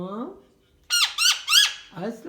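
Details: Pet male parrot in a playful, funny mood, talking with its owner indoors: three harsh, rising squawks in quick succession, followed by a man's voice saying a greeting.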